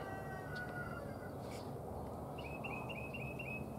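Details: A red-bellied woodpecker, one of a newly seen pair (male and female), gives about seven short, clipped mid-pitched notes after a faint drawn-out whistle, over a low rumble, on 13 March 2023.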